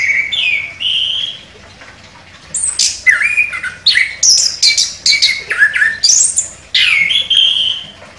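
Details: Orange-headed thrush, a contest winner with sharp delivery, opens with two clear sustained whistles, then after a pause pours out loud, varied phrases of slurred whistles, squeaks and chattering notes.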